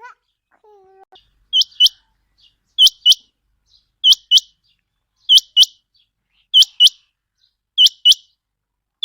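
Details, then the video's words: Chinga quail calling for hunting use: after a brief faint low sound, a steady series of sharp two-note whistles repeats roughly every 1.3 seconds. "Chinga quail vioce /چنگا بٹیر کی صاف آواز"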